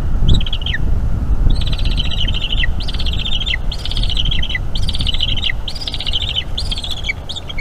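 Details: Young bald eagle calling during a feeding by its mother at a nest in North East Florida in May 2021, evening; repeated high piping chitters in drawn-out phrases, each trailing down, over steady low background rumble.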